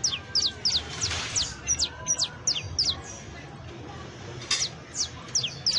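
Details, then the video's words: Saffron finch (canario criollo), a professional singer, delivering sharp descending high-pitched notes, about three per second in uneven groups, with short gaps between phrases and faint background rumble. "CANTO PROFESIONAL DE CANARIO BASTO [ASÍ CANTA UN CANARIO BASTO PROFESIONAL"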